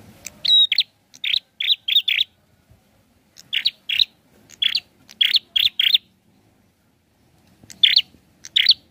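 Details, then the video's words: Prinia giving a whistled phrase, then series of short sharp chip-like notes in clusters of two to four, high-pitched and loud, with quiet gaps. "SUARANYA PLONG ABISS..GACORR || PRENJAK KEPALA MERAH||PRENJAK KLAWU"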